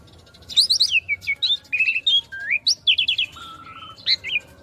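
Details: Master song of the Asian pied starling, meant for young birds to learn from. A jumble of sharp high chirps, short whistled slurs and rolling notes, with one low flat whistle near the end.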